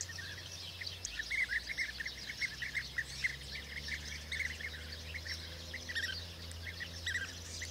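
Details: A flock of European bee-eaters at the start of the 2024 season gives a steady chorus of short, rolling, liquid chirps that overlap, over a low steady hum.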